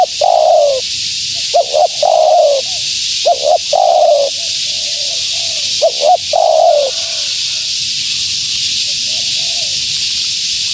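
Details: Female spotted dove cooing, used to lure wild doves: two short rising notes followed by a longer descending coo, phrases repeated every two seconds or so, over a steady hiss of background noise.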